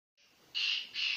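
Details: Sindhi-strain black francolin from district Sanghar, Sindh, giving two harsh, grating bursts, the second after a short pause, against a faint background hiss.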